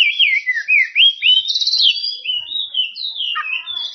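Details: Oriental magpie-robin calling out rivals with flowing ngeplong song: smooth, sweet, wavering whistles that slide down and up in quick succession, with one brief buzzy trill in the middle.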